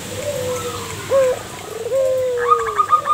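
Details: A local zebra dove, used as a lure to draw other doves to answer, gives soft, low coos that slide gently downward, with a higher whistled phrase near the end and a faint background hum.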